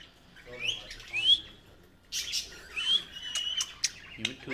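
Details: Pet rose-ringed parakeet, a friendly talking ringneck, giving sharp upslurred whistles and harsh squawky bursts in uneven pairs, with a low rasping note near the end and quiet room noise between calls.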